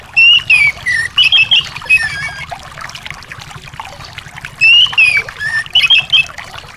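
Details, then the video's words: Anis song played to coax a silent, stuck bird into singing. Two rich whistled phrases, each rising then falling and followed by short warbled notes, over a constant watery background noise. "terapi anis males bunyi/anis macet"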